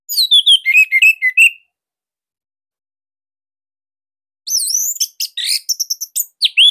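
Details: Bali Orange-headed thrush giving a loud, tight master song intended to prompt silent birds to sing: a fast run of descending whistled notes, a long pause, then rapid sweeping, rising and falling whistles.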